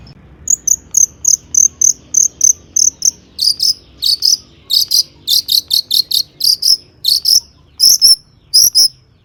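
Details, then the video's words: Long-tailed shrike song used as a lure to trigger other shrikes to sing: a steady series of short high chips repeated about every third of a second, then denser doubled buzzy notes with a lower harsh tone. "PANCINGAN CENDET AGAR BUNYI"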